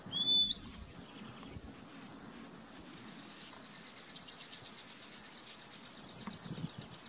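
A Bananaquit gives a few thin, very high notes, then a fast, sizzling trill of about two and a half seconds, over faint background hiss.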